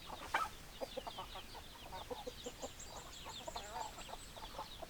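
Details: Clucking hens with one loud, sharp squawk at the start, then a run of short, evenly spaced clucks. A thin, high rising twitter series passes in the middle.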